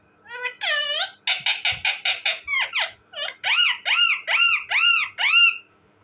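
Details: Talking parrot calling loudly and continuously: rapid harsh pulsed notes give way to a steady run of arched, nasal calls at about two per second.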